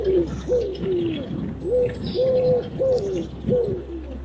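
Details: A rock pigeon (Columba livia) coos: about seven soft, low, throaty rolling notes in four seconds, each swelling then sliding down, over a faint low hum.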